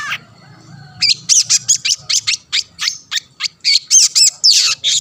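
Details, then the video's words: Long-tailed shrike (cendet) singing to goad other shrikes into answering: after a brief soft start, a rapid run of loud raspy notes and bright upslurred whistles, densely packed over four seconds, faint low hum behind. "burung cendet gacor pendongkrak emosi lawan‼️ pancingan / masteran handal"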